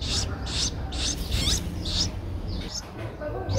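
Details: Young streak-eared bulbul at 12 days old, Thailand's Ubon Ratchathani, 14 April 2023, making raspy high notes roughly twice a second, with softer sliding squeaks trailing toward the end.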